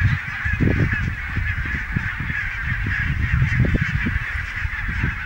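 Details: Barnacle geese at Niittylahti, Savonlinna, Finland, on 5 October 2017: a large flock keeps up a dense, steady chorus of short, yapping honks, with low rumbling wind noise underneath.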